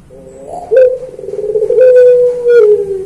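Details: Puter pelung dove performing its training song: a long, low, steady hooting coo held for over two seconds, slightly falling at the end, with a few sharp clicks over it.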